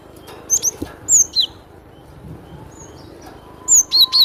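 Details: ['Cinereous tit giving bursts of sharp, high whistled notes, paired high and lower slurs, with a quiet pause mid-phrase before another quick run of alternating notes at the end.']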